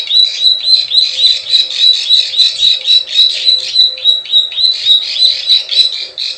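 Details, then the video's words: Plain prinia lure call of the klik klik and ciwah kind, a regular string of sharp, buzzy high notes at roughly three and a half per second, fading at the end. "SUARA PIKAT PRENJAK SAWAH_KLIK KLIK_CIWAH"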